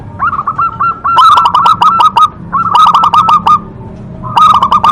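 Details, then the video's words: Local zebra dove in full song, with a big voice: three bursts of rapid, rolling, hollow coos at mid pitch, each run of quick notes set against sharp broadband clicks. "perkutut lokal gacor Suara Besar Suara Ampuh bikin Manggung"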